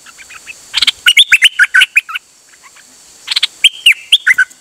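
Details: Songbird, recorded 8 September 2023 and singing continuously on an outing, delivering two bursts of quick, whistled notes that leap and slide between pitches, separated by a short pause, with no other sounds.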